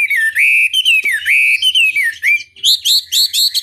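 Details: Hwamei song played to provoke a rival into answering: rich, drawn-out whistled phrases that rise and dip, followed by a quicker series of higher, repeated upslurred notes.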